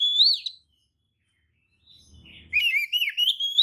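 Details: Oriental magpie-robin giving lure song meant to provoke other magpie-robins into tail-spreading replies: a loud high whistled note, a long silence, faint low rumble, then a fast, buzzy, rising warbled phrase.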